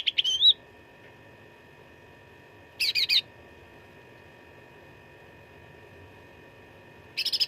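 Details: Cucak ranting fighting song for contest training: an opening twittering flourish, a compact rapid chatter burst after a long pause, and another chatter starting at the end.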